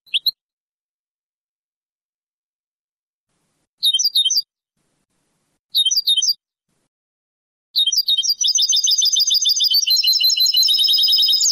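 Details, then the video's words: Moroccan Sebtaoui-style song of a European goldfinch from an old, cleaned cassette: a few isolated chirps and short twittering clusters, then a fast, continuous metallic trill of rapidly repeated high notes lasting several seconds. "CANTO DEL JILGUERO ** شريط نادر و قديم للتغريد الحسون بالنمط السبتاوي المغربي"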